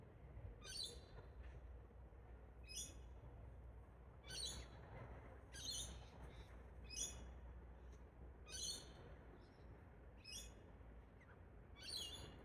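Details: Mated pair of wild Galahs, Rose-breasted Cockatoos, bonding in trees at an Australian park. Around ten harsh, scratchy shrieks repeated roughly every second or so, some doubled, over steady low background noise.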